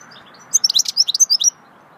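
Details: Singing goldfinch, swittey song: about one second of dense, high-pitched twitters and liquid whistled notes in quick succession, bright and metallic, over a quiet steady background hum.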